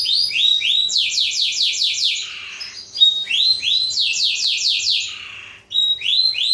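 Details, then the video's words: Black-throated canary song used to train canaries: two phrases, each of rising slurs followed by about six fast falling whistled sweeps, separated by a pause, high and clear. "masteran kenari suara blacktroot"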